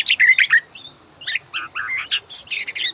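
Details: White-rumped shama master song used to prompt caged birds to sing: varied bursts of sharp chirps and short warbled whistles, falling notes and high buzzy flourishes in quick succession.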